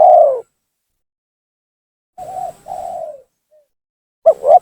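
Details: Lure call of a spotted dove to draw in rivals: a long mellow coo, a pause, then a wavering short note and a sustained falling coo, ending with a quick doubled coo.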